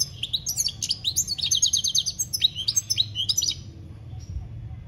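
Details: European goldfinch singing, with "campero" style named in Spanish, 2021: a fast run of bright twittering notes and rapid trills high in pitch, a buzzy repeated phrase in the middle, faint low background rumble.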